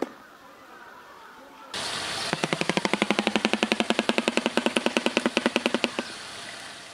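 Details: Shoebill from the swamps of East and Central Africa snaps its huge bill together in a dry, machine-gun-like clatter of about nine sharp knocks per second for nearly four seconds, after a low outdoor hush. Bill-clattering is used in greeting, nesting, courtship or territorial disputes.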